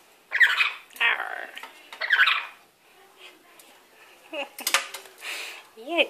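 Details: A pet lory playing and bathing in a wet cloth in the sink gives harsh, raspy squawks in three quick bursts, then thinner squeaks and a rising-falling whistled note, with a person talking softly.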